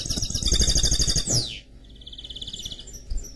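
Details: Song of a canary x goldfinch mule: a dense high twittering trill ending in a sharp downward sweep, followed by a softer, quicker rattled trill, with steady low background rumble.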